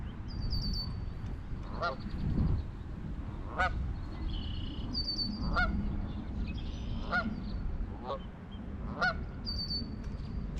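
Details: Canada geese guarding goslings in formation at a Michigan pond, spring 2021. Spaced, nasal honks come every one to two seconds. Thin high chirps from small birds and steady low background rumble are also heard.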